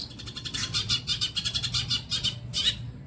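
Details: Long-tailed shrike song used as training material for songbirds: a dense run of harsh, scratchy high chatter notes, rapidly repeated in short bursts over a low background rumble.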